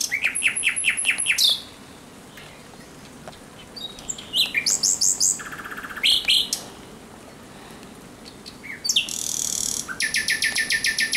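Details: Common Nightingale singing at night on 17 May 2023: bursts of rapid, high repeated notes and sharp clicks, separated by short pauses, ending in a fast, even rattle-like series.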